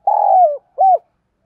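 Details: Decoy spotted dove in the 'giọng thổ' voice style, cooing to provoke rival doves: one low, smooth, slightly falling drawn-out coo followed by a brief rounded second coo, clear and loud with no other sounds.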